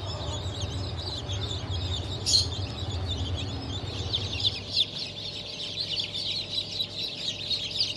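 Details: Chickens from a 7 July 2023 hatch including Blue, Light Brahma, Wyandotte, Sebright and Legbar chicks; many shrill overlapping peeps, thickening in the second half, over a low humming drone that fades out.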